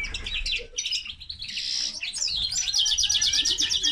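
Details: Hybrid of common linnet and canary delivering a busy song of chattering phrases, a buzzy middle section, then a rapid repeated trill of sharp high notes.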